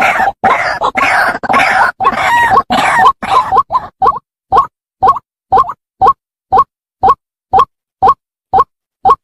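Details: White-breasted waterhen call used as a trapping lure. Harsh, dense croaking bursts give way to a steady series of short, nasal notes repeated about twice per second.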